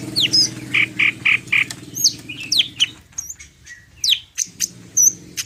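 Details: Medan greater green leafbird in full isian song. It opens with a run of four even trilled notes, then gives scattered high downward-sweeping whistles and clicks over a low droning hum.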